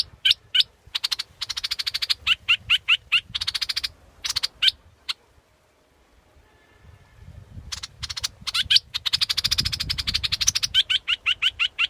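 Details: High, dry ticking notes and short rapid trills from a scarlet-backed flowerpecker, broken by a silent gap midway, over faint low background rumble.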